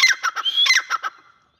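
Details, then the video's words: A grey francolin gives a quick run of about six harsh, squeaky notes over one second, with a thin rising whistle threaded between them, then falls silent. "teetar ki awaz"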